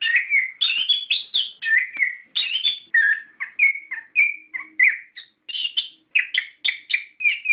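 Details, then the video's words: Lure song of an orange-headed thrush, played to stir caged birds into answering, called gacor ngeplong ngerol. A rapid stream of varied whistles and chirpy notes comes in short bursts, nearly two each second. "Pancingan Suara Burung Anis Kembang Gacor Ngeplong Ngerol"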